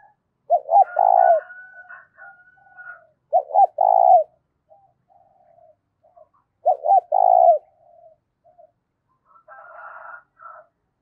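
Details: Spotted dove cooing, played to excite decoy doves and described as a loud, clear voice with little background noise: three low phrases, each a quick stutter of short notes rolling into a longer throaty coo, about every three seconds, with faint higher whistles between.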